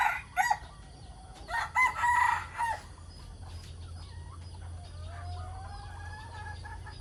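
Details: Roosters crowing in the morning: a loud, clear, drawn-out crow with a rising and falling tone, then fainter crows from farther birds and short clucks, over a low steady hum.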